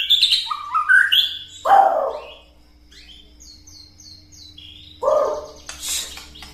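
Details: White-rumped shama giving its rattling call, meant to provoke other birds into singing: loud varied whistles and downslurred notes, a quick run of high clipped notes midway, then more bursts. A faint steady hum sits underneath.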